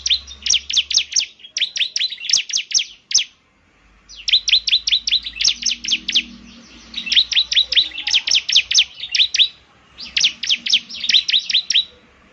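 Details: Bar-winged prinia song played so a caged bird will answer: long runs of rapid, sharp, repeated high chirps, about two to three notes per second in bursts, separated by brief pauses, with faint low hum behind.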